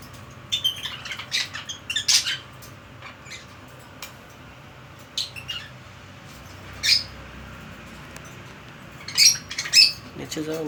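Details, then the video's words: Pet budgerigar in a small room, chattering in scattered bursts of high, scratchy chirps and sharper squawks, with gaps of quiet between groups and a faint low hum throughout. "বাজরিগার পাখির ডাক | baazigar pakhi dak"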